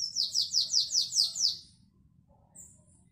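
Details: Canary performing the classic Belgian song, 2021: six loud, evenly spaced falling notes rolled out in about one and a half seconds, followed by quiet with one faint high chirp and low hum.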